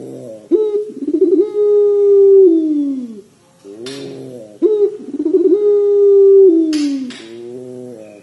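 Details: Two long trilling coos from an actively calling Barbary dove, puter pelung style with long cengkok, about four seconds apart; each begins with a wavering roll, holds a steady low tone and sags downward, with short rustling noises between.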